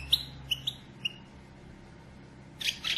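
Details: Female European goldfinch calling to stir the male into singing and excitement: a few short, high chirps spaced about half a second apart, a quiet pause, then a dense burst of bright twittering at the end.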